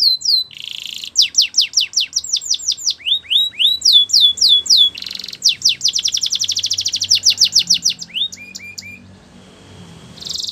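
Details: Long canary training song: varied phrases of sharp downward-sweeping whistles, a rapid pulsed trill, short rising notes and buzzy passages, with brief pauses between tours.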